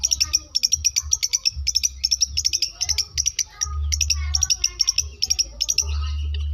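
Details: Long-tailed shrike of South Malang, Indonesia, in a medley mimicking lovebird and canary: stuttering bursts of rapid, high chattering notes separated by short pauses, over an intermittent low hum.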